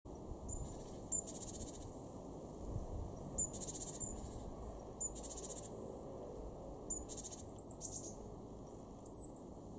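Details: Great tit, a garden bird in Weener, East Frisia, in Germany's far northwest, January 2023: a thin high note, then a harsh buzzy churring rattle, given four times over ten seconds above a steady low background rumble.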